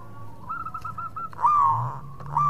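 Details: Local zebra dove singing steadily, used as a lure so rival birds answer quickly; a run of short, even cooing notes followed by a louder drawn-out coo and another starting at the end, over a low hum.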